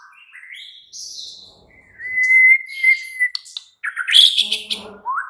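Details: White-rumped shama (murai batu) night lure meant to make a caged bird answer and sing; soft whistles, a long level whistled note, then harsh chattering and a rising slur.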